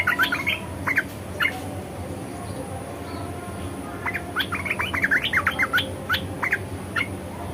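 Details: ["Red-eyed bulbul song in the 'ngeriwik' and 'ngebren' styles: a short cluster of chirps, a quiet pause of about two seconds, then a longer, rapid chattering run of sharp up-and-down notes, with a faint hum underneath."]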